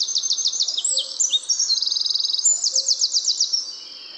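A Eurasian Wren's loud, high song: rapid rattling trills alternating with sharp high notes, delivered in one unbroken four-second burst.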